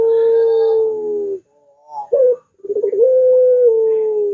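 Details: Long curving coo of a puter dove, recorded as a lure for other puters. A sustained hooting tone slowly falls, then a sharp clipped note and a trembling roll lead into a second long coo.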